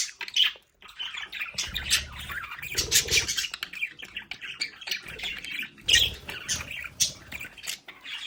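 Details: Several budgerigars kept at home chatter in a play area. Their busy warbled twittering comes in uneven bursts of scratchy notes and sharp chirps, with a few soft low knocks in the background.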